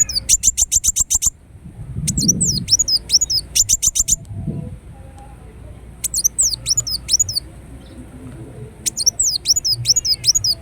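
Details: Ruby-cheeked sunbird singing: rapid buzzy rattles of evenly spaced ticks alternating with chattering phrases of very high hooked whistles, with brief muffled low thumps in the background.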